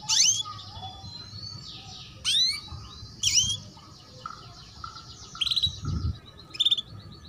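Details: Female canary chirps meant to prompt young canaries to sing and boost breeding condition: upward-sweeping notes and brief trills at irregular intervals, with constant low background rumble.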